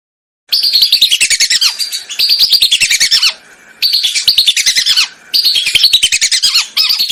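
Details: Lesser whistling duck chatter on a hunting lure recording: four bursts of rapid, shrill whistles, each ending in notes that fall away, separated by short gaps.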